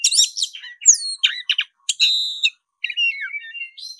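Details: Black-breasted Oriental magpie-robin in fighting mood, singing nonstop and fiercely: rapid varied phrases of sharp chirps, downslurred whistles and buzzy notes with short pauses, ending in thin rising and falling whistles.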